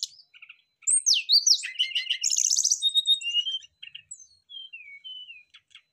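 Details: Brown-chested jungle flycatchers responding to each other's singing with their fill-in phrases: sharp high chirps, then a loud dense stretch of buzzy, chattering notes lasting about three seconds, followed by quieter gliding whistles.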